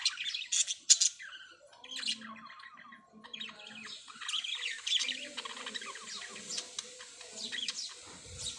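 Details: Parrots chirping and squawking: bursts of sharp, high chirps and harsh squawk notes overlap irregularly, with softer twittering underneath and louder clusters near the start and midway.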